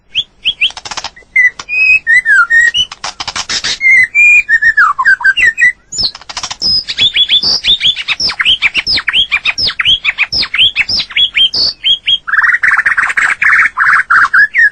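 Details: White-rumped shama singing in nature: a loud, nearly unbroken run of rich whistled phrases with rising and falling slurs, rapid downswept chips and short buzzy bursts, changing pattern every second or two.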